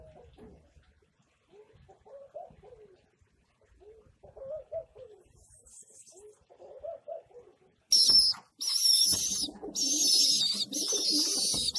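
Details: Homing pigeons in their loft, where parents feed the chicks: soft, low, wavering coos for about eight seconds, then loud, high, hissing squeals break in over low murmuring.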